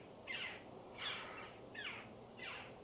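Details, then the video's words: Jackdaws up in trees at Rodley Nature Reserve, West Yorkshire, calling boisterously, possibly young birds: four harsh, clipped 'tchak' calls about every three-quarters of a second over a faint hiss. "Don't know if you can hear all the"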